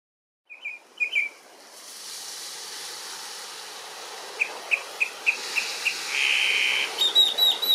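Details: Mockingbird singing in the morning: a couple of short chirps, then a steady hiss, a series of evenly spaced clipped notes ending in a brief buzzy trill, and a quick string of higher whistled notes.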